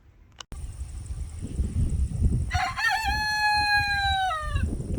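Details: A young rooster just starting to crow in a garden on a Sunday morning gives one two-second crow, rising then held level before dropping away, over a steady low rumble of wind.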